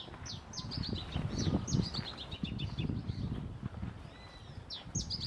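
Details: Singing male masked yellowthroat at Costanera Sur ecological reserve, Buenos Aires, 1 October 2022; quick tumbling series of high sweet notes falling in pitch, repeated, with strong low background rumble and faint other chirps.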